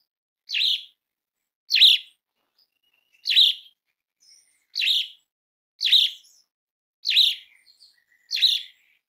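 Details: Asian pied starling calling, a lure to prompt starlings into song: seven harsh, rasping chirps, one about every one and a quarter seconds, with faint thin squeaks between.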